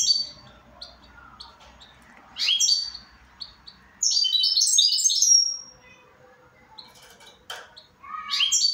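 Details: Scattered high chips interspersed with rising flourishes and a long, dense run of bright, rapid twitters from a goldfinch; a sharp click near the end.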